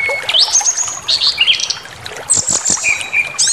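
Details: Aggression-provoking lure song of a brown-chested jungle flycatcher: a steady whistle jumps into a rising high slur, followed by wavering warbled notes, a brief pause, then sharp high stuttered notes and softer lower whistles.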